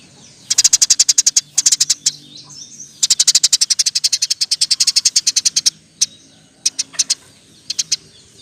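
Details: Eurasian tree sparrow delivering dense rolled chirp sequences, kept as a master recording for training other cage birds: a short run, then an unbroken volley of some twenty-five rapid, bright chirps, ending in sparse single notes.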